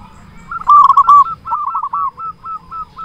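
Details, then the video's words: Big-voiced local zebra dove sings to attract and excite other zebra doves. A loud, rapid bubbling burst gives way to a long series of softer, evenly spaced hooked cooing notes, about five per second. "Perkutut lokal gacor suara besar cocok untuk pancingan semua jenis burung perkutut"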